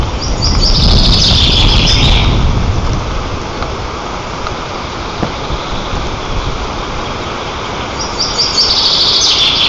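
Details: White-tailed eagle at a nest 35 m up in Nizhnyaya Kama National Park, Tatarstan, on 18 June 2024, giving thin, high piping notes in quick runs at the start and again near the end, over a steady rumble of wind.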